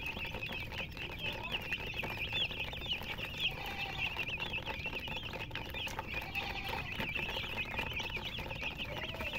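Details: Several chicken chicks beside a hen keep up continuous shrill chirping, each peep a quick rising-and-falling twist, many birds overlapping throughout, with a low rumbling background.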